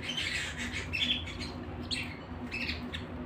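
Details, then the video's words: Canary at home singing brief, bright chirps and quick whistled notes in scattered bursts, several per second, over a steady low hum in the room. "canary singing at home"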